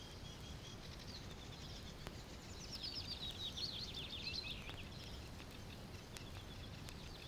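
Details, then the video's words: Common reed bunting in the Matsalu reed beds gives a short, high, jangling phrase of quick chirps lasting about two seconds, with faint high twitters around it over steady low hiss and rumble. "Reed Bunting"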